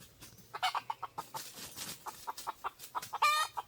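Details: Red junglefowl near a decoy set to lure wild birds, giving a steady run of short, even clucks about five per second, with one brief, louder rasping burst near the end.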